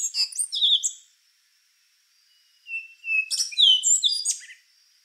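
Rufous-brown Solitaire singing two rich, fluty phrases of high, tumbling and slurred notes, separated by a pause of nearly two seconds.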